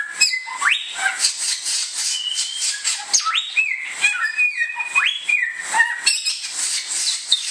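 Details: Song of the bare-throated whistler, called samyong in Indonesia: ringing whistles with steep rising sweeps followed by flat sustained tones, repeated in a varied pattern over soft background hiss.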